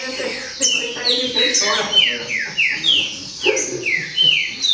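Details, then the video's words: Green-winged saltator delivering baderna song, a chain of bright, downward-sliding whistled phrases repeated roughly every half second, loud and steady, with faint low sounds in the background. "Baderna De Trinca Ferro Show!!!"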